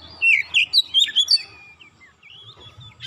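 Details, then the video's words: Oriental magpie-robin provoked into emotional song: a quick run of about seven loud whistled notes, then softer trailing chirps. "Kacer sekali pancing langsung emosi bongkar isian"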